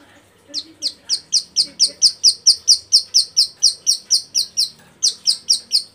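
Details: Female bar-winged prinia in breeding condition calling to attract males, used to lure birds: a clear, steady train of sharp, high, slurred chirps, about three per second, broken by one short gap.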